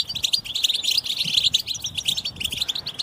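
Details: A group of European goldfinches chattering together, a recording meant to stimulate males to sing: dense, unbroken high twittering and tinkling notes overlapping throughout, with no pauses.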